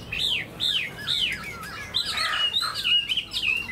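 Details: Caged tame Chinese hwamei with fanned tail and wing display gives three clear, downslurred whistles in quick succession, followed by a jumbled burst of chattering, warbled notes.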